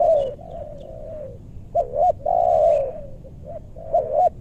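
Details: Spotted dove luring wild birds in a meranti forest near Bogor. A long loud coo opens, soft distant cooing follows, then a sharp double note leads into another long steady coo.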